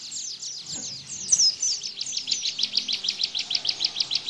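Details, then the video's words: Bar-winged prinia, called ciblek, singing an energetic burst meant as a model for white-eyes: a quick string of high slurred chirps, one sharp squeak, then evenly spaced clipped notes about four per second. "Tembakan Ciblek Bren"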